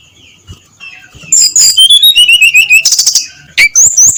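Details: At dawn, a brown-chested jungle flycatcher gives a loud, clear ngeplong song: fast, high, sliding whistles stepping downward, a burst of scratchy notes, then more bright rising and falling whistles.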